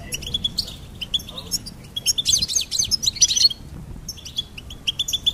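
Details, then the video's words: Goldfinch singing in lively high twitters: scattered chirps at first, then a dense burst of rapid, jangling notes, a short silence, and a final string of bright, evenly spaced chirps. "Goldfinch Singing and Song Compilation"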